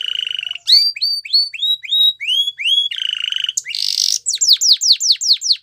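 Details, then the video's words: Canary of the Belgian breed in training song: a steady rolling trill, a run of rising whistled notes, another trill, a harsh buzzy burst, then rapid downslurred whistles. "Canary Training Song Video | Belgian Canary Singing"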